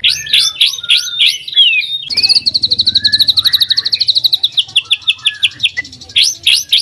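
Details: White-rumped shama singing loudly as a lure for other shamas. Sharp chirps and slurred whistles lead into a long run of quick repeated notes that slow and drop in pitch, then chirps return.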